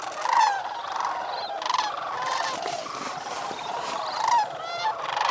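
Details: Sandhill cranes calling shortly after sunrise at the North Crane Pool, Bosque del Apache National Wildlife Refuge, New Mexico, on an 18°F November 28, 2010 morning, after roosting on water overnight. Overlapping rolling, rattling calls form a steady chorus.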